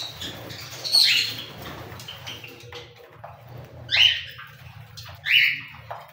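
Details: Three separate cockatiel squawks, each a harsh harmonic screech with a sharp onset, spaced about three seconds then one second apart; faint low hum underneath.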